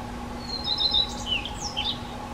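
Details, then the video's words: Black Redstart (Phoenicurus ochruros) nestlings give thin, high chirps and short squeaky notes in a brief scattered burst, over a steady low hum. "Rehek domácí (Phoenicurus ochruros)"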